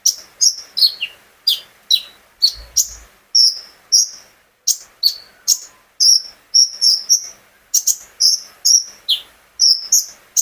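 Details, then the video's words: Owned brown-throated sunbird (kolibri ninja) in full gacor song, played to prompt other birds to sing; rapid high chirps and short slurred whistles, bursts repeated every half second or so, with steady gaps between notes. "burung konin gacor pancingan terapi burung kolibri ninja agar ikut gacor"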